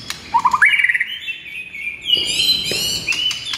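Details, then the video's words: Shama morning training song, white-rumped: a quick stuttering series of rising notes sweeping upward into a long sustained whistle, then brief high chips and a falling note. "PIKAT MURAI BATU ANDA DENGAN MASTERAN MURAI BATU GACOR PAGI HARI INI"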